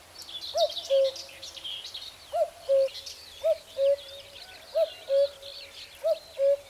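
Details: Common cuckoo (Cuculus canorus) in spring giving its clear, falling two-note cu-coo about every second and a half, over a busy chorus of higher-pitched songbirds.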